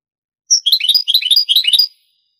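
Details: European goldfinch singing in the Granada style of Andalusian song, from an old Spanish cassette of the 1980s–90s: a rapid run of bright, tinkling, twittering notes lasting about a second and a half, with no other sounds.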